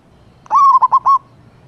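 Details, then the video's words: Wild male zebra dove calling a female, a deep 'kuk' phrase of one long mellow coo then three brief clipped coos, all at the same steady pitch, with only a quiet low hum behind. "Perkutut JANTAN Memanggil BETINA di Alam Liar ‼️ Suara KUK Besar"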